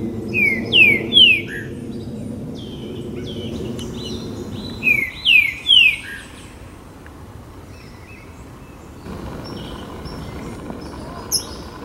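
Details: Green-winged saltator (Saltator similis) in the Jardim Botânico, São Paulo, Brazil, on 28 September 2017, urban wildlife, gives a short, rich whistled phrase of three or four loud notes, repeated after a pause, over low hum.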